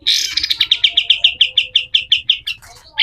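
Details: A pied triller (kapas tembak) gives a harsh burst, then a steady run of about fifteen clipped notes, evenly spaced and slightly falling, ending in a scratchy flourish.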